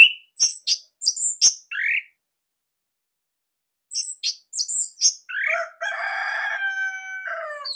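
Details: Orange-headed thrush, Bali type, a captive songbird: sharp high chirps and short slurs in two bursts, followed by a sustained, harmonic, nasal, warbling phrase.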